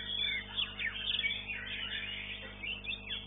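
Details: White-rumped shama at a songbird contest, session 2, class A, placed third; rich, fast warbled song with sharp rising and falling whistled sweeps and chattering phrases, other contest birds faintly audible behind.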